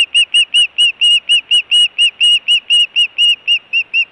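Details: Osprey calling at its Montana nest on 24 June 2017, during food and alert calling: loud, ringing whistled chirps repeated rapidly and fairly evenly throughout, each note bright and slightly down-slurred.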